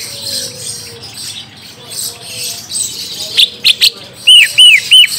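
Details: Song of the orange-spotted bulbul, used to coax a young bird into answering: a few sharp high chips, then three loud arched whistles in quick succession near the end.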